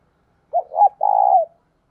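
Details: Decoy spotted dove gives a lone phrase meant to draw in wild doves: two brief coos followed by an extended, steady, finely pulsed coo that dips slightly as it ends.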